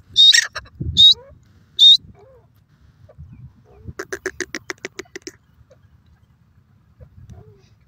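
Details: White francolin (sofad dakhni teetar) giving three loud sharp squawks about a second apart, then a quieter rapid series of a dozen clipped rattling notes, followed by near silence with soft low rumbles.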